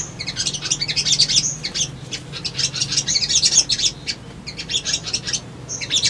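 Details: Crimson Sunbird (sogon) male in lively lure song meant to draw birds seeking a rival. Continuous high-pitched twittering chatter with rapid sharp chips comes in dense runs and brief pauses.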